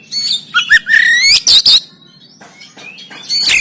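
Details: Rough-style 'tembakan' song of an oriental magpie-robin recorded in Banten with an Android phone, played to make a lazy bird sing and fan its tail. Quick chips lead into a long rising whistle, then explosive harsh notes and a thin upward glide.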